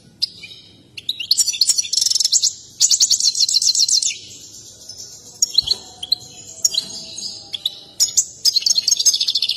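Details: European goldfinch, excited and dancing, singing a mating song valued by breeders; bright, buzzy high trills and rolling twitters in several bursts, with sharp clicking notes and a short pause midway.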